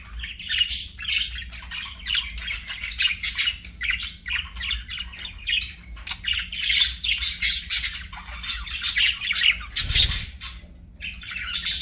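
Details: Pet budgies chirping and singing together. The dense, continuous warbling chatter is made of rapid buzzy and squeaky notes in overlapping bursts, with a brief low thump near ten seconds.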